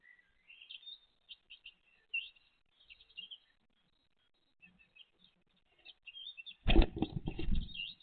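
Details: Great tit chicks with their mother give thin, high, wavering chirps, scattered and soft, before a loud rough rumble of noise drowns the last second or so; recorded 29 April 2023.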